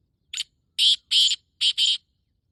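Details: Male black francolin (kala teetar) giving its breeding call, recorded 14 May 2024 around 5:15: one short rasping note, then two long harsh grating notes and a quick closing pair, loud and close against a quiet background.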